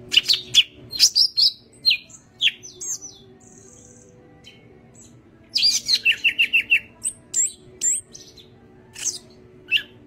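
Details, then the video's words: Yellow-headed greater green leafbird in full song, wings spread; rapid strings of whistled and chattering notes, including a run of repeated descending chips, broken by a quiet spell and a short buzzy note. "Burung Cucak Ijo Kepala Kuning Gacor Buka Sayap"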